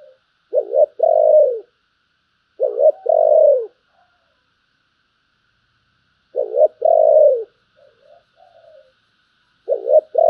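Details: Spotted dove cooing in the giọng thổ style, praised as a deep, fine voice. Low two-part coo phrases, each a quick wavering note and a longer falling one, repeat about every three seconds, with soft murmured notes between.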